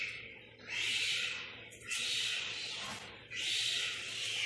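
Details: Young boat-billed herons, hatched that day and four days earlier, at Zoo Praha in September, seen during a routine check and with their mother. Three long, breathy hisses, each about a second, rise and fade in turn.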